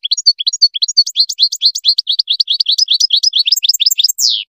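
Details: European goldfinch song used to teach young goldfinch chicks to sing: a rapid, high twittering run of sharp chirps packed closely together, ending in a downward-sliding buzzy note.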